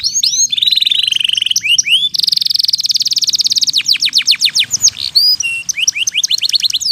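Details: Vigorously singing canary, with pauses between phrases, played to restart stalled canaries and to train two- to four-month-old youngsters; varied phrases of whistled slurs, a long buzzy trill, then rapid descending chips and rising sweeps.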